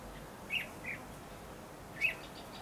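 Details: Red-whiskered bulbul recorded during trapping on 8 December 2015. Two sharp whistled notes about one and a half seconds apart, each dropping in pitch, with a softer note between them and quiet background hiss.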